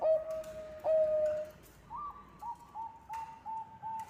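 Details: Bangkok-type zebra dove song for luring: two long loud drawn coos, then a string of shorter, higher rolling notes repeated steadily.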